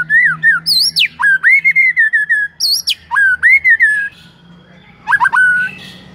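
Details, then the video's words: Song of a white-rumped shama meant to set off other shamas singing: sharp high upward sweeps followed by chains of rising slurred whistles, a quiet gap, then a brief burst of rapid notes. "Belum 1 MENIT di PANCING Murai manapun AUTO GACOR NGEPLONG mendengarnya"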